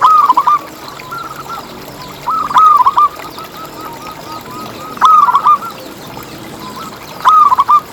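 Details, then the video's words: Zebra dove, local type, in steady song meant to lure other zebra doves into calling: short bursts of rapid, wavering coos spaced a few seconds apart over a faint continuous cooing background. "Lokal Gacor Suara Paling ISTIMEWAcUntuk Pancingan Burung Perkutut Agar BunyiTerus"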